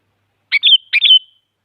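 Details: Sooty-headed bulbul, described as a female calling a male, used to stimulate silent bulbuls into singing; two short bright chirped phrases, each a quick burst ending in a clear whistled downslurred tail, on a silent background.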